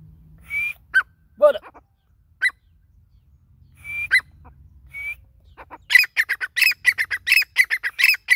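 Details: Grey francolin, known locally as Dakhni teetar: scattered clear level whistles and short downslurred notes, then a fast run of harsh, ringing repeated notes building into a rhythmic series.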